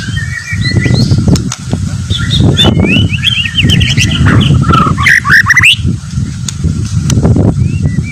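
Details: Fighter-type white-rumped shama singing rapid warbled phrases of looping whistles and quick sweeping notes, with a burst of fast bright trills midway, against constant low rumbling noise.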